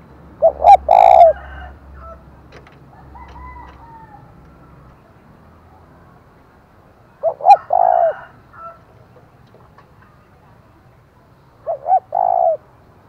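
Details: Spotted dove used as a decoy bird, its loud calling meant to provoke rival doves; three coo phrases, each two short notes then a longer drawn-out coo, repeated roughly every five to six seconds, faint other bird notes between.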